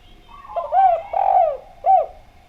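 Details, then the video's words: Spotted dove singing clearly, meant as a lure to make doves call: one phrase of three mellow coos, the middle one longest, and the last short and rounded. "Derkuku Djawa Gacor Suara Bening, Pancingan Bikin Ngeplong"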